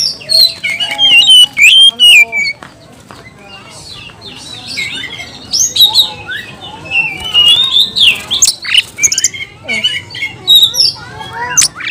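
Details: Agitated, over-excited oriental magpie-robin singing in a style meant to provoke other magpie-robins: a dense, loud stream of varied whistles, sharp chirps and buzzy squawks, high-pitched, in bursts with short pauses, and faint background murmur.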